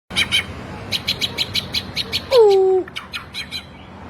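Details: Captive white-rumped shama used for training other caged birds: a run of evenly spaced sharp chirps, then a loud low downward-sliding whistle and a few more chirps in a small indoor space.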